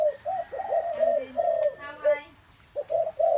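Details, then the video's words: Spotted doves cooing in a setting full of their calls: low, soft hooting notes in short overlapping bursts, a pause near the end, then more coos resume. "Một không gian đầy ấp tiếng chim cu gáy"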